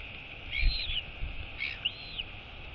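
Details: Wheeing of a female Royal albatross chick at feeding, 23 August 2022: two high whistles that rise then fall, about a second apart, with soft low bumps underneath.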